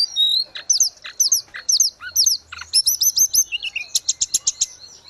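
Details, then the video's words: Grey-cheeked bulbul singing keenly, used to train caged birds: repeated sharp, upward-flicked high notes give way to steady strings of quick chips, about two per second and faster near the end. "Terapi tledekan gunung _gacor"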